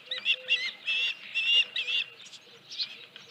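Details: Osprey at the Dunrovin Ranch nest, 31 July 2018, 9:43 AM, with a headless fish: moderately loud, somewhat harsh whistled chirps in an uneven series, fading into softer squeaks.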